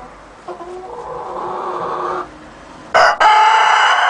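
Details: Rooster crowing: a drawn-out harmonic call lasting under two seconds that rises slightly in pitch, then a loud harsh burst and another strong sustained crow that starts abruptly and runs to the end.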